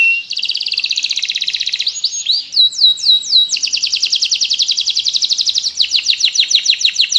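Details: Vigorous canary song, starting with a long rapid rattling trill, broken by a few swooping slurred notes, then more fast rolling trills at a steady high pitch. The singing is clean and close.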